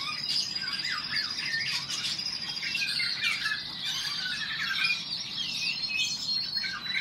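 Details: Eurasian golden oriole males dueling in song, several mellow looping whistled phrases rising and falling, set against a busy wash of thin high twittering from other birds.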